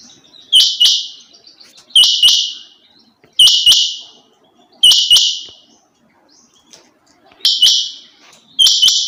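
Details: Calls of a female rain quail: six loud, harsh paired notes, each double burst fading out, repeated at a steady pace of about one pair every one and a half seconds.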